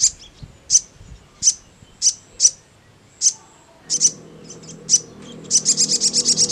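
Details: Spaced single high-pitched chips from a crimson sunbird, ngleper style, about one per half second, ending in a quick rattle-like run of sharp notes above a low hum.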